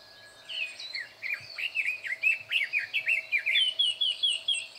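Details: Red-billed leiothrix calling loudly within a thicket on 21 May 2024: a lively warble of sliding whistles that settles into an evenly repeated series of clear notes, with a faint low hum beneath.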